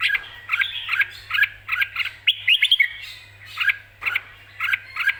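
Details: Excited Red-whiskered bulbul singing clearly, ready to compete: bouncy chirped double notes spaced about half a second apart, a quick cluster of twisting whistles midway, then the steady chirping resumes over a low hum.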